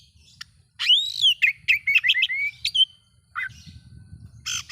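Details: Oriental magpie-robin song used to provoke other magpie-robins: a loud arched whistle, then a run of quick slurred whistles and chirps, a short pause, and a few harsh notes at the end over faint low background noise.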